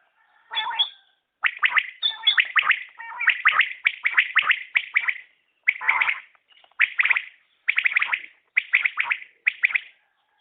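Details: Common quail (batair) calling: quick clusters of sharp, buzzy, mid-high notes, often grouped in threes, repeated in short phrases with brief pauses between them against a silent background.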